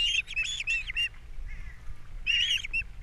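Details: Osprey calling at its Captiva nest, April 2022, during a fish delivery and chick feeding; loud bursts of shrill, slightly rasping whistles in two groups separated by a quiet gap.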